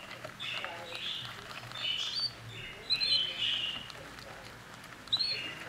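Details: Young budgerigars, 11 to 21 days old, recorded on the 24th day of breeding, give a run of scratchy high chirps and squeaks. The calls cluster around 2 to 3.5 seconds, and a sharp final note comes near the end.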